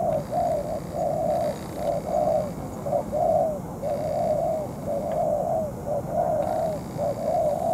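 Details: Spotted dove decoy bird, in molt, used in night-time dove trapping against a wild bird over more than two hours; low, hoarse cooing phrases repeated steadily, roughly one per second, over a constant low rumbling background.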